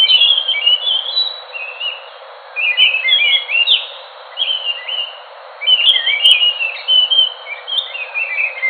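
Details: Enggano thrush delivering phrases of sharp, sweet whistles and chattering slurs, each burst lasting about two seconds and separated by brief silences.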